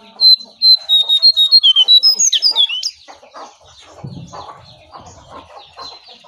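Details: Wild sooty-headed bulbul facing a caged bird, the wild one ending up fleeing; a loud run of clear whistled notes near the start, quickly repeated, then fading into quieter mixed chatter and rustling.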